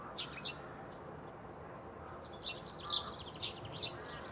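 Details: Eurasian tree sparrow recorded on 9 March 2015 at Bundek in Zagreb, Croatia: short, high chirps in small bursts, irregularly spaced and a few seconds apart, over a steady background hum.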